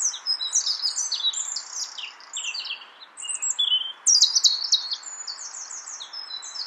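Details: European robin of the nominate subspecies singing in Brussels, Belgium, in March 2014: a rapid, varied stream of high thin warbles, trills and sweet twittering phrases, with short pauses and a louder burst near the end.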